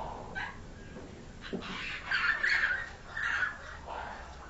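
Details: A hand-raised captive pied myna (Asian pied starling) gives harsh, rasping squawks in uneven bursts. The loudest is a scratchy chatter under a second long, over faint background hiss.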